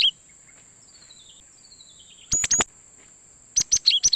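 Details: Cinereous tit (gelatik batu) lure sound for catching wild birds: faint falling whistles, then two sharp high chirps and a closing run of five quick bright chirps, over a steady thin high whine.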